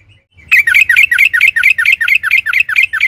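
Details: Yellow-vented bulbul delivering a rapid roll of about a dozen loud, falling bubbly notes in under three seconds. The song is used to lure other birds into singing, with a faint low hum behind it.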